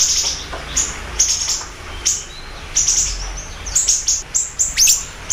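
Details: Siri-siri bird singing energetically, used as a lure and master recording: sharp, very high chirps in short bursts every half second or so, with a thin upward note near the end and faint low hum underneath.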